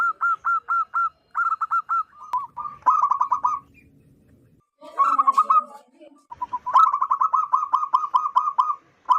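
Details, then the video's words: Wild local zebra dove, loud and in full voice, its call used to lure wild zebra doves: short bursts of quick, stuttering coos repeated in separate phrases with brief pauses, ending in a long rolling run of rapid cooing notes. "PERKUTUT LOKAL ALAM GACOR SUARA BESAR DAN LANTANG COCOK BUAT PIKAT BURUNG PERKUTUT"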